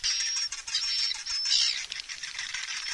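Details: Swiftlets calling and roosting, stereo lure mix: high, thin whistled streaks over busy, scratchy twittering, with rapid flickering chirps.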